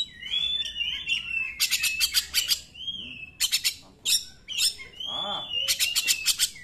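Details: Song of an Oriental magpie-robin meant to goad other magpie-robins into singing; long drawn whistles alternate with quick bursts of harsh buzzing notes, with quiet gaps between phrases.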